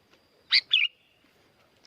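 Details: Sooty-headed bulbul from Curug Agung, Subang, West Java, Indonesia, singing loudly. It gives one quick, bright two-part phrase: a sharp chirp followed by a slurred, bubbly whistle, then a quiet background.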